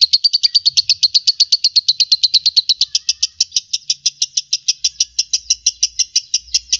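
Lovebird giving a long, shrill chatter of high, clipped notes, about five per second, running unbroken for the whole stretch with nothing else audible.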